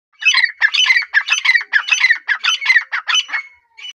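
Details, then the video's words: A white and grey partridge gives a fast run of harsh, rasping squawks, about three a second, each note scratchy and broad, ending with a pause and one last short rasp. "White and grey partridge voice"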